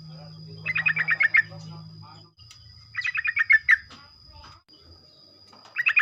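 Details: Sooty-headed bulbul in morning song, intended to trigger others to sing rapidly: short trills of six to eight quick bubbly notes separated by roughly two-second gaps, with low rumbling background and a steady high-pitched whine.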